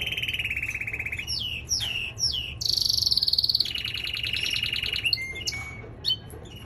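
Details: Canary, a male in training, opens with a low rolling trill, adds three swooping downslurred whistles, then a bright high roll, a lower pulsing tour and a few sharp closing chips.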